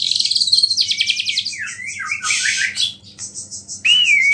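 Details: A white-rumped shama sings a provocative song, rich with small-bird phrases, aimed at other shamas. A bright whistled note gives way to a descending trill and a harsh buzzy burst, ending in a clear loud whistle.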